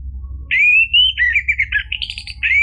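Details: Orange-headed thrush singing steadily, meant to make a kept bird answer: a long clear slurred whistle that rises, then a run of warbled notes climbing higher, ending in another clear whistle.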